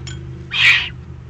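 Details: Excited juvenile Eurasian eagle-owls in the Eifel, Germany, on 21 June 2020: one harsh, hissing begging screech lasting about half a second, preceded by a faint brief noise.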